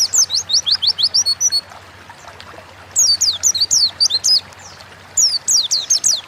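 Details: Lure recording of an Oriental white-eye singing gacor ngalas style: three bursts of rapid, high, slurred chirps, each a run of about eight to twelve notes, separated by brief quiet gaps over faint background hiss.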